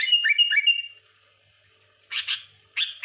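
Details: Sooty-headed bulbul provoking rivals: three quick liquid whistled notes, a pause, then two short burry chirps.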